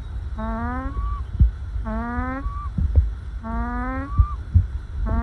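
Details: Peaceful pet ducklings snuggled in a pile give their happy, calm call. Three long rising notes are each followed by a short upward flick, spaced about every one and a half seconds, with low rumble and light tapping behind.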